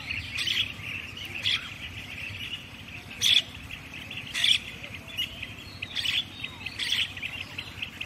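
Common myna giving harsh, scratchy bursts about once a second or two, over a steady high chirring background and faint low rumble.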